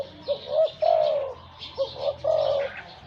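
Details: Captive decoy spotted dove, taken from the wild and prized for its big voice, repeats its phrase twice: a pair of quick low notes and then a long, steady, mellow coo.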